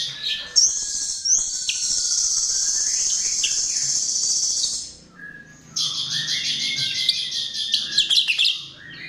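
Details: Song of a chestnut-tailed starling used as a lure: a long, loud, high hissing trill with a thin falling whistle beneath, a short pause, then a jerky buzzing chatter with low swooping notes.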